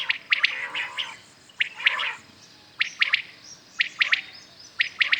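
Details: Several common quails calling in the morning, giving sharp three-note phrases, each a quick stutter of bright clipped notes, about once per second, with calls from different birds overlapping.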